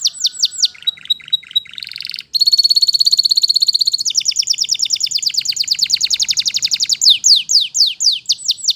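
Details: Canary in the wild: falling whistled notes and short chips, a brief break, then a long loud buzzy trill that turns into rapid repeated notes and ends with curving whistles.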